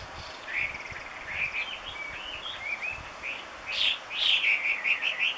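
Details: Loud, busy song of a Chinese hwamei in Gunma, Japan: varied whistled phrases with slurred rises and falls, pausing briefly, then ending in a rapid series of bright repeated notes; quiet background.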